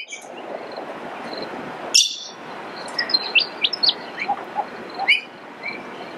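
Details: Brown honeyeater at Eurong Beach Resort on Fraser Island, Queensland, Australia, on 20 December 2012. Bright whistled chirps and quick sweeping notes are scattered through, some rising, with a loud sharp note early on, over a steady broadband rushing background.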